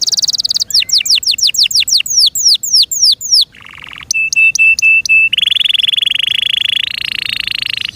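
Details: Canary in its owner's care sings a varied song: a fast trill, a run of downward-sweeping whistles, a low buzzy note, clipped repeated pips, then a long steady trilled roll.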